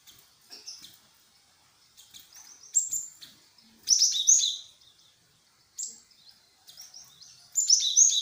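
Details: Great tit call used as a lure to draw an answer: scattered very high, thin chirping notes come in irregular bursts, some buzzy and clustered, separated by brief quiet spells with faint background noise.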